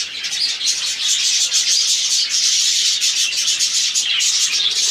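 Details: A colony of budgerigars (Melopsittacus undulatus) chatters continuously in a dense wash of high, scratchy warbles and chirps.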